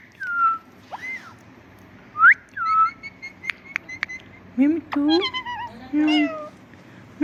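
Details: A parrot kept as a pet mimics words and a cat's meow. Looping whistled notes open, then comes a series of low, harmonic, meow-like and word-like calls, each ending in a wavering tone.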